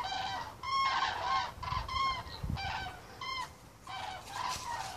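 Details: Flock of common cranes on migration above Turin, Piedmont, Italy: separate loud rolling trumpet calls about every half second, some rising at the end, overlapping voices, low rumbling background noise.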